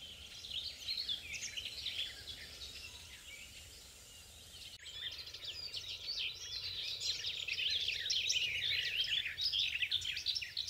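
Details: Garden warbler recorded from afar with a compact camera, pouring out a long, hurried, mellow warbling phrase of jumbled notes that grows louder toward the end, with faint background noise throughout.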